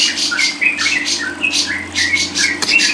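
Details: Lovebird singing short, shrill chattering notes in quick succession, with a few thin whistled chirps mixed in.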